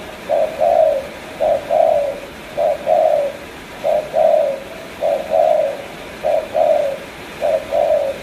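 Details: Spotted dove from Cà Mau repeating two-part coos, a clipped first note and a longer soft falling second, at a regular pace of about one phrase per second.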